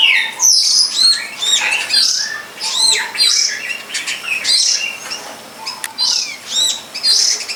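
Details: Behind a friend's house by a longan orchard, a wild long-tailed shrike produces harsh squawky notes and arched chips in regular bursts roughly every second, with short silences between.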